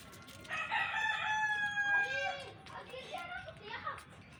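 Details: Rooster living with a family of hens gives a long harmonic crow of about two seconds, rising then held and falling away, followed by softer clucking notes from the flock.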